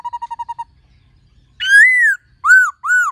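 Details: Black-throated laughingthrush with a female calling, singing in many voices: seven quick identical pulsed notes, a pause, then a long rich upslurred whistle and two short arched whistled notes.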